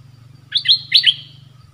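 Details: Red-whiskered bulbul giving a brief two-part whistled phrase. Each part is a quick, liquid, up-and-down chirp. A steady low hum runs underneath.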